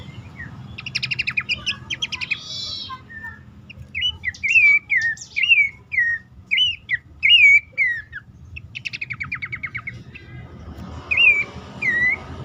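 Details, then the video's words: Calling bush warbler, pelanduk semak, used as a lure to get stalled caged birds singing; a dry rattled trill, then a run of repeated curling whistled notes spaced about half a second apart, another trill and two closing whistles. "pelanduk semak ngecall pancingan ampuh burung bahan,macet,stress,susah bunyi agar cepat ngeplong."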